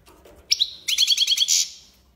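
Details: Goldfinch in the tiwawati song style: a sharp high note, then a fast buzzy trill of repeated chirps ending in a bright sustained tone.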